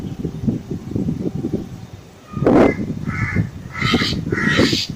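A black drongo gives about four harsh, nasal calls in the second half, each brief and grating, over a steady low rumble.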